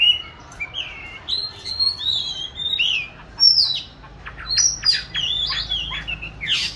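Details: Caged oriental magpie-robin, hatched 29 July 2020 and recorded 22 March 2021, hung in an ideal spot for song training; varied whistled phrases, rising and falling slurs mixed with short sharp notes, with pauses between bursts.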